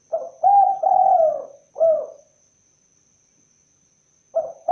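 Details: Spotted dove repeating its phrase: a short note, two rich coos and a falling final note, then the next phrase begins after about two seconds of silence.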